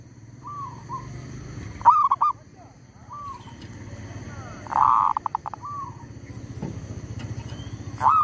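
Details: Zebra dove kept as a trapping lure for wild birds while a tree squirrel disturbs it: two strong bursts of rapid staccato cooing, with soft arched whistled notes between them over low rumbling background noise.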